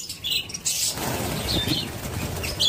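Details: Budgerigars (Melopsittacus undulatus) give short, high chirps and warbled notes in quick bursts over a low rumble of wingbeats and rustling.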